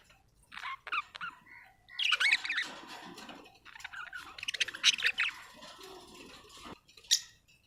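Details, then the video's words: Budgerigar chirping in scratchy, buzzy warbled bursts, two louder chattering spells separated by softer notes, ending with a sharp chirp. "budgie chirping sound"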